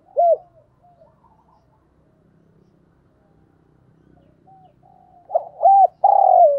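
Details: Decoy spotted dove calling: one clear arched coo, a long near-silent stretch with faint low murmurs, then a quick burst of rounded hoots ending in a loud sustained coo.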